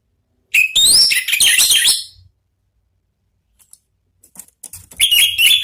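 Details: Orange-headed thrush singing in the ngeplong style, used to lure and stimulate other birds: a rich burst of high whistled, warbling notes lasting under two seconds, then near silence and faint clicks, ending with a fresh bright phrase.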